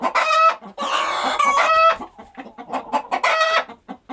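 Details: Hens cluck and squawk: a brief squawk, then a long strident cackle with a rising whistled edge, more short clucks, and another harsh squawk before quick low clucking closes.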